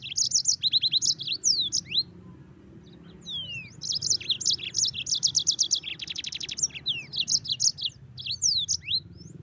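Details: Extended yellow-fronted canary song in gacor style: almost unbroken high twittering, repeated chirped notes, a buzzy trill and swooping downslurred whistles, loud and varied over a faint low hum.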